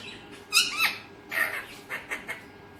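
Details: Alexandrine parakeet kept indoors, giving a run of harsh, raspy squawks in short bursts, the loudest near the start, followed by several shorter clipped notes.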